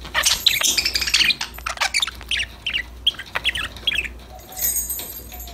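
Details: Several pet budgerigars playing and singing together: a lively run of quick high chirps and warbles, then scattered single chirps that fade toward a quieter end, over a faint low hum.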